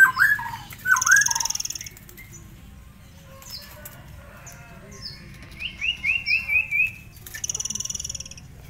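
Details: {'caption': 'Tame forktail singing in ngitir style, kept as a master song: slurred whistled notes near the start, a high buzzy rattling trill, then a rapid ladder of sharp repeated notes and another buzzy trill.'}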